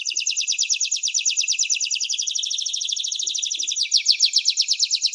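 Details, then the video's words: Canary song of a continuous high rolling trill, tightly repeated notes that grow louder and slightly faster toward the end. "Canary-Canario Singing 2017(Kanarya Ötümü)"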